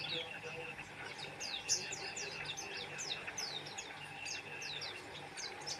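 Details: Energetic Oriental white-eye song: steady stream of thin, high, downward-slurred notes, closely spaced and repeating across the whole stretch, with a soft constant hum behind.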